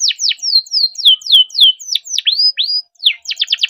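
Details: Caged canary delivering a long song used as a prompt for quiet canaries: a series of sharply falling whistles, looping upward slurs, a short pause, then a burst of fast repeated sweeps.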